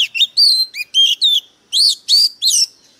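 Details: Fired-up lure White-rumped shama pouring out harsh, intense song: a fast string of loud, clear whistles that rise and fall sharply, arranged in short separate phrases and nearly free of background noise.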